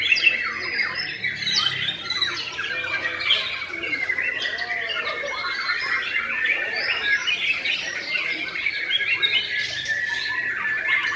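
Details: Sustained white-rumped shama song, "sujud" style: busy, overlapping whistled phrases with a steady high tone running beneath rapid chatters and slurred notes, continuous throughout with a few lower warbles mixed in.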